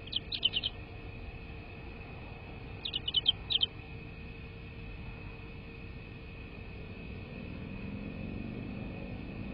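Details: Bald eagle calling near its nest, live nest camera recording, 22 February 2024, evening: two short bursts of rapid, thin, high chitters, then only a low background hum and rising rumble.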